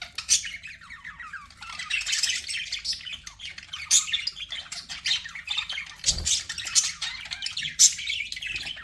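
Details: Pet budgerigars, possibly several in an aviary, in a dense continuous stream of high chattering chirps and squawky warbles, with rapid notes overlapping throughout and occasional sharper peaks.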